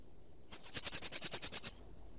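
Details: Eurasian nuthatch repeating a loud run of about twelve high, sharp, down-slurred whistled notes in a little over one second, evenly spaced and steady in pitch, against a quiet background.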